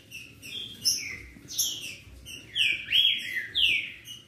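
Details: Short burst of dueling green-winged saltators, song meant to provoke another bird to sing, with several rich whistled phrases arching and falling, two strong swells of sound close together near the end.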